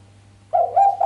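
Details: Brief sharp cooing by a female island collared dove, without the 'kuk' ending, meant to stir the male: quick mid-pitched notes starting after a half-second pause, steady hum underneath.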